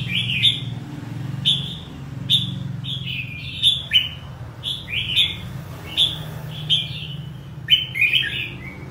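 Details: Red-whiskered bulbul repeating crisp whistled phrases about every second, each opening with a sharp high pip then a quick falling warble, steady hum low in the background.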